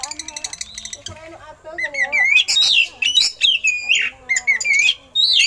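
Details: Oriental magpie-robin song with imitated eagle calls, used to train other birds; quick chips open, then loud rich whistled phrases rising and falling in bursts with short pauses.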